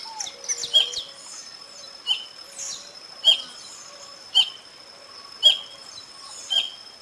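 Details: Whistling heron of South America; short high whistled notes repeated roughly once a second, six in a row, each a brief sharp peak, over a steady thin high tone in the background.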